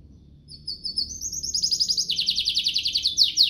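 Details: Canary song meant to tutor young canaries and spur singing: starts quietly with soft repeated high notes, then swells into a loud, rapid, rattling trill held to the end.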